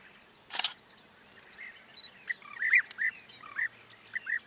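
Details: European bee-eater calling: soft, rolling, arched notes repeated irregularly, several birds overlapping toward the end, with a loud camera click near the start and a low steady hiss behind.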